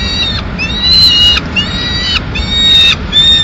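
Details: Peregrine falcon chicks in Madrid on 19 May 2016, fed a pigeon that the female brings and they eat directly; loud, harmonic, wailing calls of about half a second, several in a row with short gaps.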